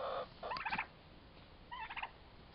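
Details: Turkey toms roughly four months old fighting, with two clear bursts of quick, stacked, rising-and-falling yelping notes separated by a short pause.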